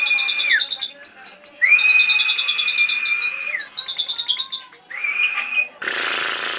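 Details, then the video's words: Javan pied starling in full song: long, level, clear whistles held for a second or more, separated by choppy chattering notes and a low gliding whistle, ending in a harsh, noisy burst. "Kicauan jalak riorio Full Power"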